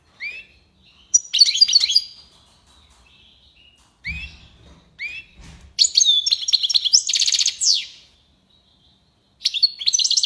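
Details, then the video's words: European goldfinch singing tiwawati style, with rising whistled notes, dense buzzy twittering trills and a long rattling phrase, plus a short thumping noise. "مقنين(حسون) تيواواطي ليباساد"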